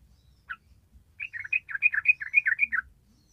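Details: After one lone chirp, a yellow-vented bulbul bursts into a fast tumbling run of bright bubbly whistled notes in the long rapid 'ropel' style, about a dozen in quick succession.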